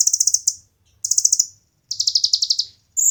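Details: Olive-backed sunbird (konin) singing, offered as training material for competition birds: three bursts of rapid, high, buzzy trilled notes separated by short pauses, the third sliding slightly lower, over a faint low hum.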